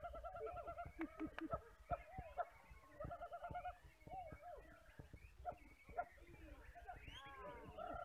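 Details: Several White-rumped shamas at a morning bird contest in Baruacak, Lembang, on 5 September 2021 sing rich, fluty, overlapping whistled phrases with repeated notes and quick sliding flourishes, over a low murmur of people.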